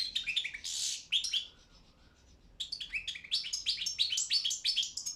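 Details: Balkan European goldfinch competing in a world championship in goldfinch song held online: a twittering phrase with a harsh buzzy note, a quiet pause, then a long run of rapid varied liquid chirps and trills.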